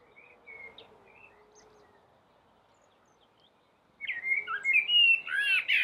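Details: Common blackbird on a rooftop, first quiet and distant-sounding with soft whistles, then a loud outburst of rich warbling mixed with high, scratchy, sliding twitter notes.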